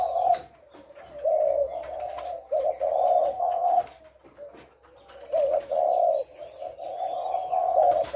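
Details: Spotted dove giving thổ lối calls on 18 September: loud low coo phrases of about a second, separated by quieter stretches, with a soft low hum and faint high bird chirps behind.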